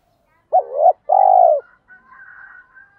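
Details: Spotted dove lure used to excite rival males into fighting and calling: one short hooked coo followed by a longer, steady, throaty coo, then faint higher trailing sounds.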